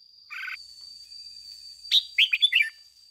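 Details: Lure red-whiskered bulbul in ché-style song: a brief buzzy note, then a quick phrase of four bright, bubbling whistled notes near the end, over a steady high whine.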